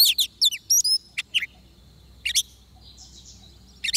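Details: Oriental magpie-robin fighting song recorded while trapping with a decoy bird: quick chirpy whistles that slide downward, scattered single notes, a faint buzzy trill, and a final sharp burst.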